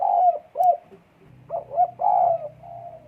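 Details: Spotted dove in breeding condition, recorded 12 December 2022, with close, mellow coos. A long note and a short one come first, then after a pause a quick double note leads into a long drawn coo that trails off over a low hum.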